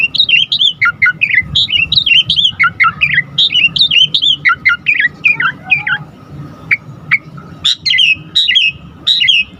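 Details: Asian pied starling, known locally as jalak suren, singing to stir other starlings into song: a fast stream of varied whistled and chattering notes, slurred up and down, then sharper squawky bursts toward the end.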